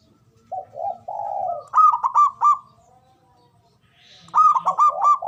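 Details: Zebra dove male calling in ngoar manggung style to spark breeding arousal: soft low coos, a long drawn coo, then rapid stuttering clipped notes in quick bursts, repeated after a pause.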